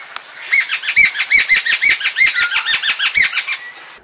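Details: Jungle Babblers (Argya striata) in Kerala, a group giving a loud, discordant chorus of harsh squeaking and chattering: rapid overlapping notes, about three per second, rising and falling, with a faint high hiss behind.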